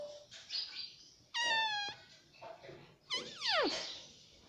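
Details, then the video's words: A pet Indian ringneck parakeet (rose-ringed parakeet) indoors gives two loud harmonic calls, one level and one swooping downward, with softer chattering and household noise between them. "cute Indian ringneck parrot"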